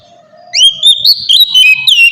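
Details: Oriental magpie-robin song used as a lure to make untrained magpie-robins answer. After half a second of quiet, a loud run of clear whistled notes begins, rising and sliding between high pitches with short trills.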